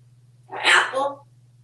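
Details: A talkative male African grey parrot, hatched 1997 and kept at home in Texas, gives one short, breathy, speech-like utterance under a second long over a steady low electrical hum, amid talk of mango, carrots and "It's good!"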